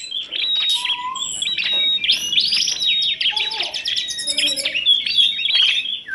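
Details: Energetic singing from kacer, tledekan gunung and prenjak in a masteran compilation: bright high whistles and quick chirping runs, with a few lower pure notes threaded through the busy stream.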